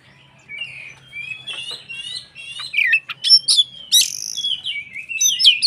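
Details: White-rumped shama song used to make other shamas sing: softer warbled whistles building into loud bursts of harsh chatter and sweeping notes, varied and fast.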